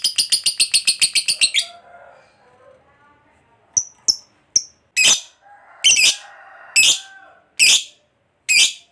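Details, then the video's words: Lovebird fighter used as a lure for other lovebirds: a short burst of rapid high chattering notes, a pause, then single sharp shrill chirps spaced about a second apart. "Pancingan Suara Lovebird Ngekek Panjang"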